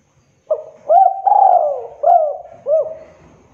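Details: Prize-winning spotted dove from 2022 in full voice: a single mellow cooing phrase of short hooked notes around a longer sliding coo, with a faint low rumble in the background.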